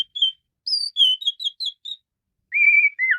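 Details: Asian pied starling singing intensely (menggila): clean, pure whistled notes hopping between pitches, then a long level whistle followed by a falling slur.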